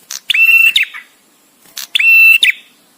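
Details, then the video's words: Male bar-winged prinia visiting, singing for master training: two strong buzzy whistled notes, level with a rising flick at the end, spaced about one and a half seconds apart in quiet surroundings. "suara prenjak tamu JANTAN!!! dengan jeda cocok untuk masteran"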